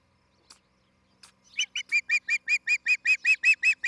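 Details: Osprey at a nest near tree tops in Charlo, Montana, recorded by a nest camera: after a few faint notes, a rapid run of loud, even, piercing chirps repeats about two and a half times a second.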